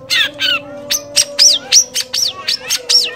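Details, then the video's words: Long-tailed shrike, a kept songbird used for training other songbirds, singing a varied mimicking song: sharp rising and falling whistled notes repeated about four times a second, with a steady low hum underneath. "masteran burung cendet atau pented bayak isianya"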